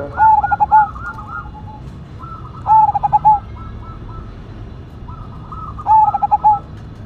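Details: Cemani Majapahit zebra dove, a perkutut, in full loud song. Three bright phrases of rapid pulsed notes, each ending in a longer coo, repeat about every three seconds over faint arching coos from other doves.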